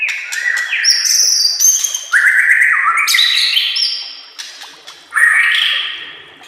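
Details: White-rumped shama singing a master song meant to teach other shamas: bright whistled notes leaping between pitches, interspersed with quick chirps and high trills.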